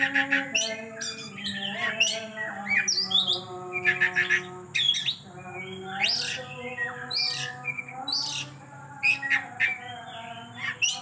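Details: Oriental magpie-robin in an energetic, rapid delivery that shows off its song repertoire. Bursts of sharp chirps, squawks and high whistled slurs come in quick clusters, over steady low humming tones that run throughout.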